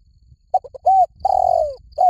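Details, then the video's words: Spotted dove in the 'liu tan' calling style, used to train a dove to answer: brief stuttering notes lead into a smooth arched coo, then a long falling drawn-out coo and the start of another, with steady high insect buzz behind. "สำหรับเปิดล่อนกเขาใหญ่ฝึกต่อ ให้ขันโต้ตามเสียงนกเขาใหญ่หลิ่วตัน"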